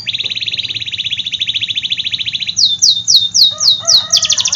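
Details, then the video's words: Energetic AF canary, played to get reluctant and young canaries singing: a long rapid pulsed trill lasting over two seconds, then a series of loud downslurred sweeps and quick high rolls, with a soft low hum throughout. "Kenari Gacor Af , Pancingan Kenari Sulit Bunyi dan Kenari Paud"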